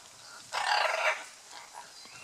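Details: A courting scarlet macaw at Playa Blanca, La Palma, on Costa Rica's Osa Peninsula gives a single drawn-out, hoarse, grating screech of about half a second, followed by quieter background sounds.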